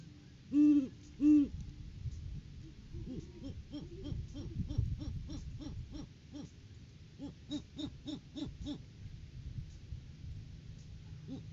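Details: Great horned owls visiting the nest tree during January courting season, recorded by a live nest cam; two loud deep hoots open, followed by a long run of softer, quick, evenly repeated hoots fading toward the end.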